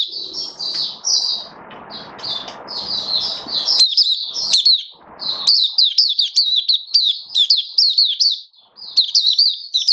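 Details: Caged oriental white-eye singing, recorded 21 October 2022 during a booster trial: fast high twittering runs throughout, masked at first by a broad low rumble that fades after four seconds, leaving clear, rapid, downslurred chirps.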